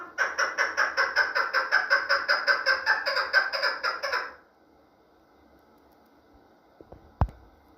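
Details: Chukar partridge from the Pamirs giving a rapid run of harsh, rhythmic clucking notes, about two to three per second for four seconds, then stopping; a few faint clicks follow in a quiet indoor setting.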